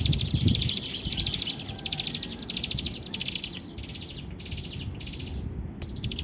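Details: Bar-winged prinia in full song: a rapid, regular trill of high ticking notes for about three seconds, then softer, broken phrases with brief pauses, over low background noise.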